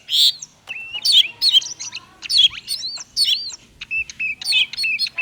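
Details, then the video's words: Oriental magpie-robin singing konslet style, a lure for lazy singers: loud rasping bursts alternate with clear level whistles, roughly one phrase every second, strong and energetic throughout. "Kacer konslet cocok untuk pancingan burung kacer malas bunyi"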